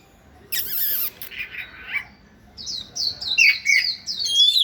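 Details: Oriental magpie-robin song while dancing: a harsh rasping burst, then a run of quick whistled notes and rising sweet phrases.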